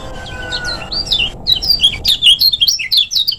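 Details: A Lombok lemon-bellied white-eye sings energetically for training caged birds: high slurred notes start spaced out, then speed up into a rapid chattering string of sharp twittering chirps.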